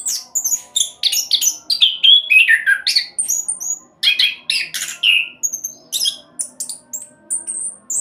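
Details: Orange-headed thrush delivering speedy 'roll' song meant as a lure for other birds: dense, chattering sequence of high squeaks, slurred descending whistles and clipped notes, roughly three to four per second.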